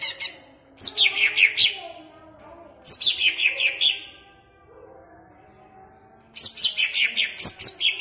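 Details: A caged greater green leafbird at Jatirejo, Pemalang sings to excite listening birds: three separate bursts of rapid, high, piercing notes, each sliding down in pitch, separated by quiet gaps of about a second or more.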